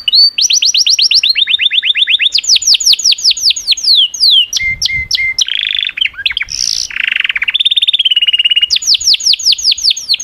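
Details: Canary singing continuously: series of fast descending whistled notes, steady trills, flat tones and a harsh buzzy segment, all loud and clean with little background.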